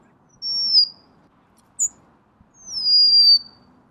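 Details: Golden-crowned sparrow giving two long, plaintive whistles, each sliding slowly downward, with a brief high note between them in a quiet setting.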